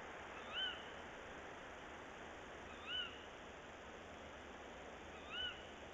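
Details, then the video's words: Pair of tawny owls at dawn on 22 February 2018, male perched on a branch, female inside a nest box; three short sharp arched calls spaced about two and a half seconds apart against constant background hiss. "Bosuil, M op de tak en dan V in de kast"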